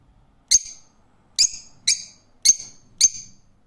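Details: Rose-ringed parakeet uttering five separate short, harsh screeches at uneven intervals, each shrill note fading quickly, with near silence between them.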